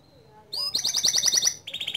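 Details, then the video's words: Loud song of a white canary in full voice: a rising whistle leads into a rapid bright rolling trill, switching to a slightly lower repeated trill at the end. "Kicau Kenari Putih Gacor Suara Keras"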